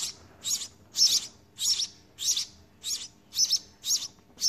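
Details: House sparrow nestlings being fed in the nest by a parent, giving high, shrill chirps, about nine bursts in four and a half seconds, each a rapid squeaky cluster, steady and insistent.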